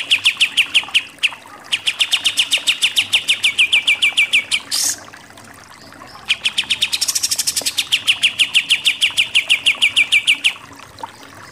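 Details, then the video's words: Pied triller singing in the 'nembak-nembak' (shooting) style, a master track for songbird contests. Long runs of fast, clipped, staccato notes come in two extended strophes. A brief harsh burst falls in the gap between them. "KAPAS TEMBAK SUPER NEMBAK-NEMBAK"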